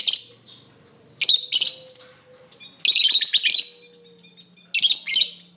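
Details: Aviary lovebird chirping in shrill, harsh bursts of rapid notes, repeated about every one to two seconds with quiet gaps between, and a faint low hum underneath.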